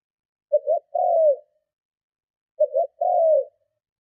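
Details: Strong cooing of a spotted dove intended to attract and provoke other doves; two phrases two seconds apart, a brief broken note pair then a long coo sliding lower.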